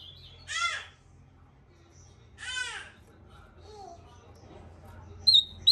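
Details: Ultramarine grosbeak (Cyanoloxia brissonii) song: two rich, warbled phrases about two seconds apart, each sliding downward, then a brief bright whistle, with faint voices in the background.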